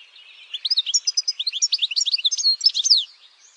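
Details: European goldfinch in campero song, a lively string of high, clear chirps and liquid trills, evenly paced, ending in a sweeping slurred note.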